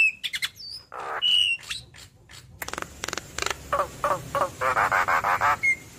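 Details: Javan myna, yellow-eyed, chattering through its mimicked repertoire: scattered chirps and a steady whistle, then a run of harsh rasping bursts repeated about three times a second, ending in a short whistle.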